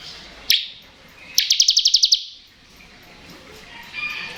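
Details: Ngebren-style song of a bar-winged prinia, played to coax young or reluctant prinias into singing: a single high chip, then a short rapid rattle of roughly eight bright pulses, followed by quiet background.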